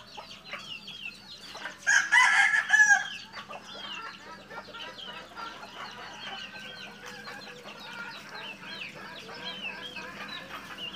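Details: Red junglefowl bred in captivity in Mukomuko, Bengkulu: many high, rapid chirps and short clucks throughout, broken by one loud, harsh, harmonic crowing burst near the start.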